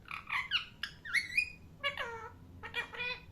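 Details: A parrot gives a jumble of harsh, raspy squawks mixed with short chirps. Some notes sweep upward and others drop in pitch, in irregular clusters over a quiet indoor background.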